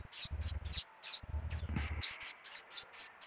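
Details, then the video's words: Canarinho pardo in full song: crisp, high chirped notes repeated rapidly and steadily, some sliding slightly, with a soft low rumble in the first two seconds. "Canarinho pardo cantando muito"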